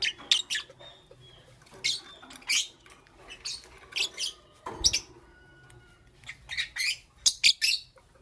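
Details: Morning chirping from lovebirds, a green Fischeri and a pastel blue: a lively series of shrill, raspy, high chirps in quick irregular clusters, sometimes doubled, with a dull knock partway through and indoor hum beneath.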